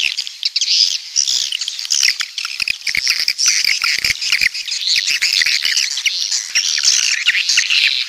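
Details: Swiftlets of the walet pantai (coastal) type from the south: dense high twittering chatter with bright chirps and scattered sharp clicks, continuous throughout.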